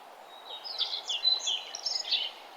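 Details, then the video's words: Wild birds singing at sunrise along a nature trail on a fresh morning; high, bright chirps and twittering phrases overlap through the clip above a soft steady background hiss. "Nature trail with birds singing and the sun arising"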